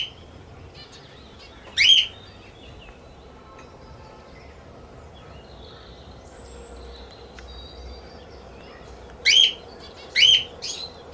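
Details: Sun conure playing with a ring: one harsh, screechy chirp early on, then a long quiet stretch, followed by two more rasping chirps close together near the end.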